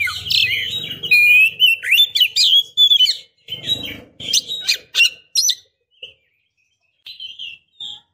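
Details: Oriental magpie-robin female in breeding condition calling a male: dense, scratchy chirps and bending whistles over a low hum, thinning into sparse short notes and quiet whistles toward the end.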